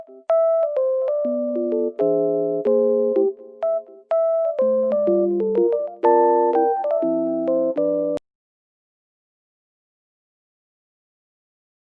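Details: A bright electric piano or keyboard tune plays steady chords and notes for about eight seconds. It then stops into silence, and no animal voice is heard.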